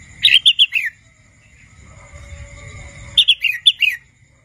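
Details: A juvenile wild red-whiskered bulbul, still learning to sing, delivers two chirpy whistled phrases of four and six notes. Each one ends with a downward-sliding note, and a faint steady hum sits underneath.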